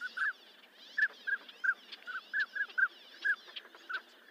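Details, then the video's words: Northern pintail calling: a series of about a dozen short, soft whistled notes, often doubled, coming roughly two per second with uneven spacing, over faint fizzy background sounds. "sound northern pintail"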